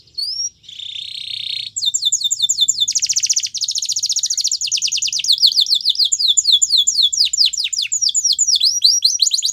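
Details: Yellow canary delivering a training song: a rising whistle and buzzy note, then an unbroken run of rapid trilled phrases of sweeping whistles varying in speed and pitch.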